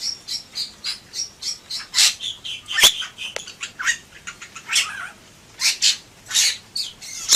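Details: Bali myna (Leucopsar rothschildi) chattering in gacor style: rapid, fairly regular run of short high chirps and squeaks, interspersed with a few louder harsh notes.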